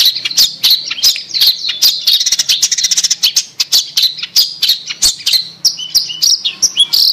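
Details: Long-tailed shrike, recorded as a lure to restart a bird that has gone quiet: rapid chattering and harsh scratchy notes crowded together, with a few clearer whistles near the end and a faint low hum.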